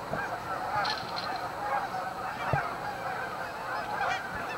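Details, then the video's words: Canada geese gathered at a staging area, Amber Trails Lake in Winnipeg, honking together in a steady, overlapping din, with a few sharp higher notes and brief knocks breaking through. "Canadian Geese Staging Area - Amber Trails Lake, Winnipeg"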